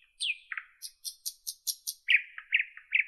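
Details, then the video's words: Nightingale song with a bright falling note, a low burry note, then a rapid series of high paired pips, followed by repeated lower rich chuckling notes, evenly spaced about a quarter second apart. "Nightingale Birdsong"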